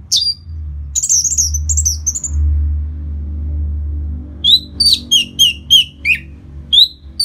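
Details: Orange-headed thrush song for rousing a bird after moulting into aggression: high whistled slurs, then a rapid series of clear descending whistles repeated roughly every third of a second, over a loud low hum.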